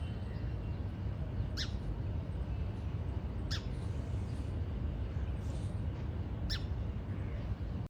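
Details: Three isolated sharp chirps, spaced a few seconds apart, from a house sparrow, subspecies Passer domesticus indicus, locally called gauraiya, over a heavy steady low rumble.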